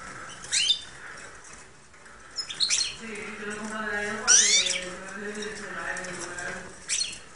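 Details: A hand-reared goldfinch hybrid from 2013 gives four short, bright, high chirpy bursts about two seconds apart, while a man encourages it from behind the camera.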